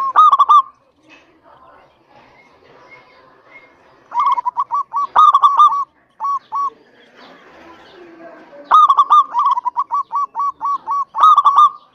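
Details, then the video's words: Local zebra dove, used to lure other doves into calling, giving bursts of soft, staccato cooing notes that run into rapid rolling series, with short pauses between phrases over a faint background murmur. "PERKUTUT LOKAL GACOR"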